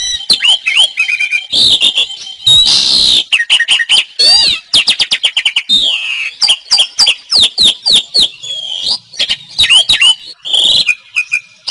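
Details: Asian pied starling, locally jalak suren, in gacor song for caged-bird tutoring: a long, busy medley of piercing upslurred whistles, clicks and grating rasps, delivered almost without pause for about twelve seconds.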